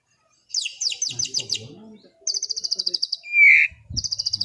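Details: Afternoon relaxed 'ngeplong' singing by a white-rumped shama: very high rapid pulsed trills in bursts, one loud harsh mid-pitched note, with faint low murmuring in the background.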